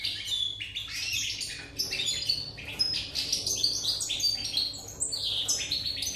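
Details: European goldfinch singing on 8 November 2019: a dense, fast run of bright twittering and tinkling notes with buzzy slurred phrases, continuous throughout, with no other clear sounds.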